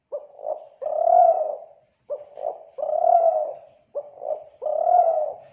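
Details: Spotted dove coo from Kelantan, used as a dove lure: three steady phrases, a pair of short hollow notes then a long low coo, repeating roughly every two seconds.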